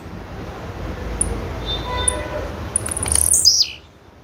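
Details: Female blue-black grassquit giving three tiny high ticks, then one louder, very high call that slides sharply downward near the end, over a low background rumble.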